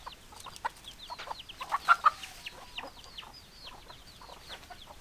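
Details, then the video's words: Chickens with hens clucking: many thin, falling peeps and scattered low clucks, with a few louder clucks near two seconds in. "Chicken Sounds Noises Hens Clucking Roosters Crowing"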